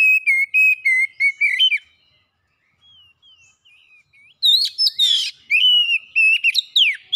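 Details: Kacer, the oriental magpie-robin, in a lure song for quick singing and mimicry: steady repeated whistles ending in a slurred flourish, a soft quiet interlude, then loud varied whistled phrases with one harsh buzzy note.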